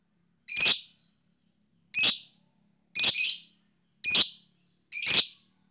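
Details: Provoking lovebird fighter call: five loud, harsh screeches spaced about a second apart, each a short raspy burst, with silence between.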